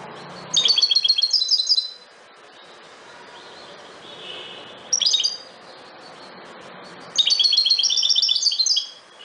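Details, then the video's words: European goldfinch, subspecies parva, delivering three bursts of liquid, twittering song: a long, quick run of high tinkling notes, a brief clipped phrase, then another long, rapid, jingling series, with quiet background between the bursts. "Jilguero campero (Carduelis carduelis) - Canto"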